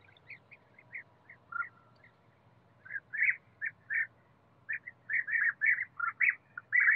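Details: European bee-eater calling in a forest, with rolling, purring 'prrip' notes repeated several times a second. They grow louder and denser toward the end, over a faint constant low drone.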